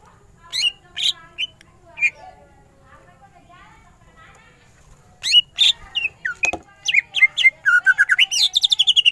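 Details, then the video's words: Greater green leafbird in ngentrok-style song. A few spaced whistled notes come first, then a pause and a sharp click. A quickening series of bright chips and slurred whistles follows, accelerating toward the end. "Cucak ijo gacor full tembakan ngentrok"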